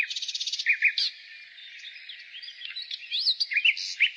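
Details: Nightingale song in spring: a quick, buzzy trill, then scattered sliding whistles and short notes. The song is broken by quieter gaps filled with the twitter of distant birds.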